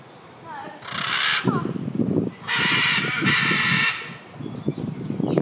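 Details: Scarlet macaws flying at a park in Hayle, Cornwall, give two long, harsh, grating screeches, each about a second, with people talking underneath.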